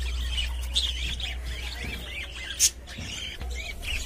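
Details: Pet budgerigars inside a cage give a run of squeaky warbling chirps, wavering up and down, with one sharp click near the middle over a low background hum.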